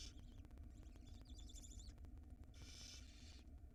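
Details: Barn owl at a nest with nestlings in Israel, where the female plays with food before bringing it to the young; harsh broadband hissing bursts, one long one near the end, over steady low hum and faint ticking.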